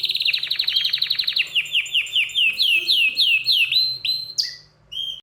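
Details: {'text': 'Worked-up canary singing a fast high trill that slows into repeated slurred whistled notes, each dropping in pitch, ending with a short sharp note and a brief pause.'}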